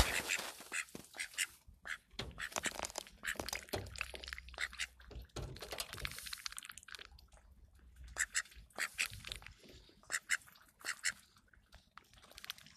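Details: Call ducks recorded on 15 January 2021, giving scattered harsh, raspy quacks in uneven bursts, some clustered in quick runs, with quieter gaps between and faint low background rumble, apparently indoors.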